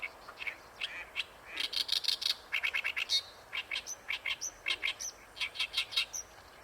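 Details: Harsh chattering song of an Oriental reed warbler at Ikeshima, a steady stream of rasping, repeated syllables with occasional higher squeaky notes.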